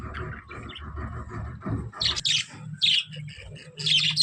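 Budgerigar chatter: rapid warbled twittering broken by harsh, scratchy squawks.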